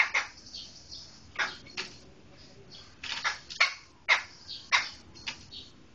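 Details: Harsh scratchy notes from a Medan black laughingthrush, scattered single bursts early, then a denser series of loud raspy calls in the second half, with faint softer chatter between.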